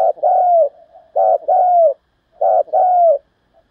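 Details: Cooing of a spotted dove in the 'thúc giọng' style, meant to stir decoy birds into calling. Three paired coos, each a brief low note then a longer, drawn-out note that sags at the end, spaced about a second apart.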